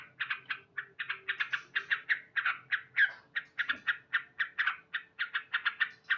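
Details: Male yellow-vented bulbul delivering a loud morning song of evenly spaced chirpy notes, about four per second, over a faint steady hum.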